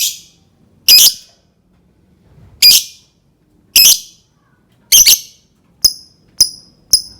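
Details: Lovebird sounds for prompting other lovebirds to sing: rasping high squawks about a second apart, some doubled, ending in three short, clear, piping chirps.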